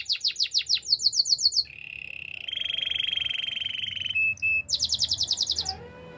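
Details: Spanish Timbrado canary singing a training song: quick repeated descending notes, then a long sustained metallic rolling trill, a short pause, and another fast burst of repeated high notes.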